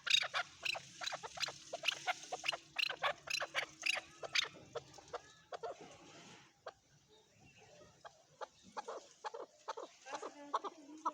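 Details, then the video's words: Male chukar calling in uneven bursts of clucking notes, quieter overall, with a lull midway before the chuckling series resumes, a low hum underneath. "My best Male chukar sounds Male chukar calling //Male chukar voice"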